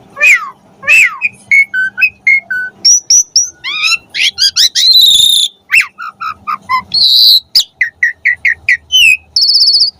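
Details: Jalak suren (Asian pied starling) delivering a highly varied song for training caged birds: swooping whistles, fast clicking trills, high harsh bursts and short repeated piping notes, tumbling along without pause.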